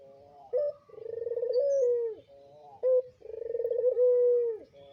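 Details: Caged breeding adult Barbary dove of the pelung style, a bird that has raised two young, giving two long rolling coos. Each opens with a short high note and then swells into a pulsed, trilling croon that slides down at the end.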